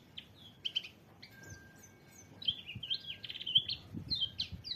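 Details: White-eye producing bursts of quick high chirps and short slurred whistles in irregular clusters, with soft low clicks and knocks in the background.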